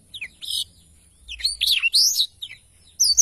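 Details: Black-throated canary song for training songbirds, with scattered short phrases: brief high buzzes, a looping slurred whistle and sharp chips separated by short pauses.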